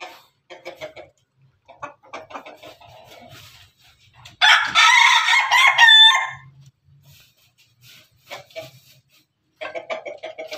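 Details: Pelung and Ketawa chickens together: soft scattered clucks and chatter lead into one loud, rich rooster crow lasting about two seconds, with a rising final note, then more quiet clucking.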